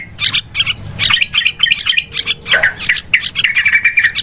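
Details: Yellow-vented bulbul lure sound for bird trapping, a noisy chatter of scratchy, bubbling notes delivered in fast irregular bursts with a slurred downward note midway.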